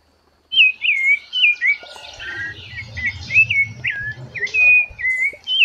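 A Rufous-bellied Thrush sings a steady run of clear, fluting whistled phrases, each dipping and rising, delivered every half-second or so; a faint low rumble sits underneath.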